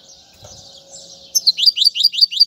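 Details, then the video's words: European goldfinch song for teaching young birds. After a soft hissy start, a series of six sharp rising chirps repeats quickly and evenly. "أفضل تغريد الحسون"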